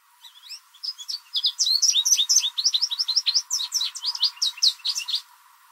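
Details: American goldfinch singing loudly in a backyard in spring, likely a mating song to attract other goldfinches; a rapid, continuous jumble of short bright chirps and twitters, building after the first second and running nearly five seconds.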